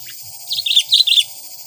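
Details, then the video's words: Sooty-headed bulbul used as a lure bird to attract wild bulbuls: a short run of bright, sharp chirps, loudest in the middle of the phrase, over a faint background hum. "Burung kutilang pikat gacor..!!! Auto - kutilang liar penasaran guyss..?!"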